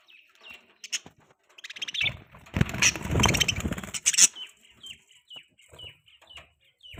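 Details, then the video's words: Pet budgies chirp softly, then a loud, rough burst of chatter, followed by a quick series of short, clear, downward-sliding tweets, about two each second. "Budgies chirping sounds|Cute Budgies birds sounds|Budgie sound"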